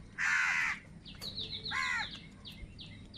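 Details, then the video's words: A crow, among crows said to be squabbling over food, gives two rasping, nasal caws about a second apart. Faint high chirps from a small bird follow between and after them. "Crow Sound of Kaka | Clear Crystal Crow Bird Crowing Sounds | Crow Bird live Crowing Sounds"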